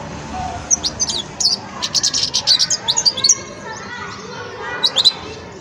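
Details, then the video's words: A young European goldfinch, Wedani type, in the song-sorting stage, delivers a sustained string of rapid, high, bright chirps and buzzy twitters, a short pause, then a final small cluster, with low hum behind. "جان مقنين ويداني في مرحلة فرز التغريد"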